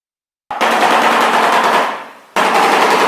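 A shoebill's bill clattering: a dry, rapid, machine-gun rattle that runs nearly two seconds, fades, then starts again.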